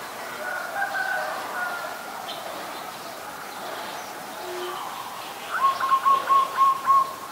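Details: Adult zebra dove in Ubon Ratchathani, Thailand, recorded 28 December 2020, giving a quick series of about six short, pulsed mid-pitched coos near the end, over faint chirps of other birds and soft background hum.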